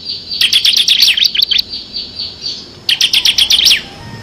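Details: Bar-winged prinia singing in full ngebren style with six variations, for training competition songbirds; a dense rattling burst of sharp high chirps, a brief gap with softer notes, then a second fast rattle.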